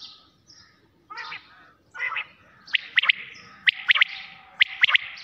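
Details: Quail at night, with faint mixed chirps at first, then clear three-note calls repeating about once a second toward the end.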